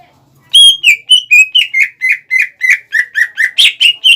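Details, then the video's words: Greater green leafbird song meant to anger rival birds: a fast, steady string of about fifteen loud whistled notes, each slurring downward, in a quiet setting. "PANCINGAN CUCAK IJO GACOR CEPAT MEMANCING EMOSI LAWAN"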